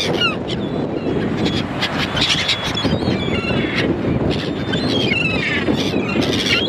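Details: Several gulls give overlapping harsh, nasal cries and short squeals throughout, partly masked by constant broadband rushing noise.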